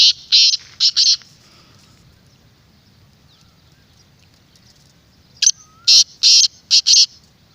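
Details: Calls of a black francolin, used to prompt captive and wild birds to answer: a four-note grating phrase at the start, a long silent pause, then a second loud, buzzy phrase of five notes near the end.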